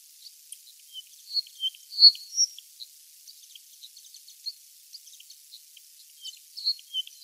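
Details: Forest wagtail on Yonaguni Island, Japan, walking along tree branches, which is unusual for this mostly ground-walking bird. Brief, thin, high chirps come at irregular intervals, with a louder pair near two seconds and more near the end, over a quiet background.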